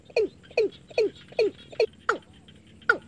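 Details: Watercock call used as a bird-catching lure day and night: a steady run of seven hoarse, downward-sliding notes, each about half a second apart, against quiet background hiss.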